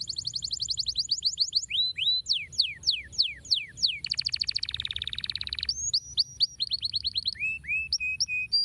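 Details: Canary song meant to stimulate other canaries to sing: fast bright trills of rising-falling notes, then sweeping descending whistles, a buzzy rolling passage and sharp clipped phrases, continuous and varied throughout.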